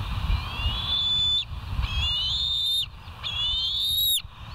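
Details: Bald eagle calls from the West End nest cam, 13 September 2023 at 04:29: three long piercing whistles, each climbing and then breaking off sharply, spaced about one and a half seconds apart over a constant low rumble.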